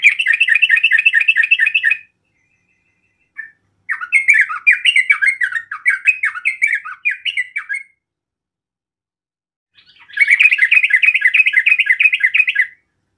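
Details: Yellow-vented bulbul song used to provoke rivals into an angry reply: three bursts of rapid, warbling chatter. The middle burst is more varied, with slurred falling notes. Short silent gaps separate the bursts.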